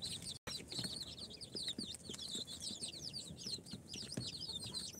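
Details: Incubator-hatched chicks at four days, a mix of Sultan, Golden Sebright, Cochin and booted breeds, peeping softly in a busy overlapping chorus of high curved chirps over a noisier hiss, with a short gap early on.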